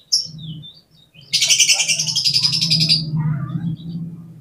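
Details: Oriental magpie-robin in vigorous song, played to excite other magpie-robins for contests: one short high note, then a dense, buzzy, scratchy chatter lasting nearly two seconds, over a steady low hum.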